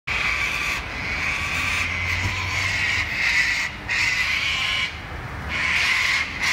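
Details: A flock of sulphur-crested cockatoos at Wentworth Falls, Australian bush, just after sunset on 14 June 2021, gives harsh, grating screeches in long overlapping bursts of about a second, with brief lulls, over a faint low hum.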